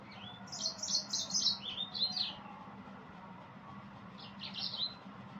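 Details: Singing yellow-fronted canary: a fast, high twittering phrase of bright trilled notes for about two seconds, a pause, then a shorter burst of the same warbling chirps.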